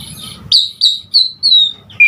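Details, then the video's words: Asian pied starling calls, played to draw starlings into singing: four high, clear whistled notes, each sliding slightly downward, evenly spaced about every third of a second. "Suara Jalak Suren GACOR Full Isian Buat Pancingan Segala Jenis Burung Jalak Agar Cepat GACOR"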